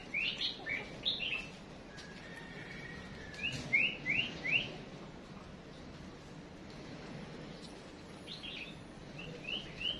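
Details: Female songbird used as a decoy, calling to spur males into song: bursts of short, high, rising chirps at about 0.5, 1, and 4 seconds, with more chirps near the end, over a low steady background hum.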